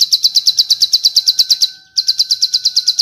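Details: Bar-winged prinia training song with long "cililin" variations: a fast string of high, sharp chips, about seven or eight per second, breaking for a moment before starting again.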